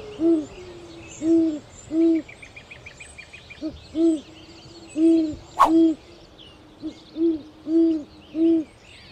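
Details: Owl giving a series of about ten short, low, nasal hoots in uneven bursts, some paired. A brief high trill from another bird sounds midway, and a sharp click interrupts near the middle.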